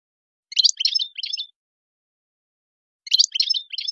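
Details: European goldfinch, wild-type song called khlawi: two bursts of dense, scratchy high twittering about two and a half seconds apart, separated by silence.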